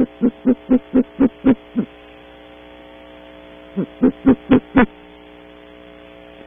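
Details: Great horned owls, a pair at a cavity in early morning at Audubon Starr Ranch, California, recorded by a camera: two bursts of short, low, evenly spaced hoots, about four a second, separated by a pause, over electrical hum.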